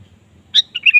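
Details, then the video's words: Lure song of a frequently singing sooty-headed bulbul, used to make a kept bird start singing. One quick, cheerful phrase of a loud chirp and three slurred, whistled notes, closing on a brief level tone. "pancing suara burung kutilang gacor"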